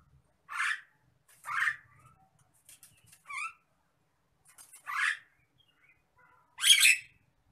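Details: Nias hill myna in an agitated state, calling in short rasping squawks mixed with a few brief clearer whistled notes, about six bursts irregularly spaced, the last one loudest.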